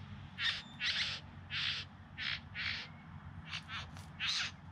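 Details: Displaying bowerbirds in the Yarra Valley, just outside Melbourne, September 2020, producing grating, buzzy rasps in an irregular run of about nine bursts, some short and clipped, others longer and hissing.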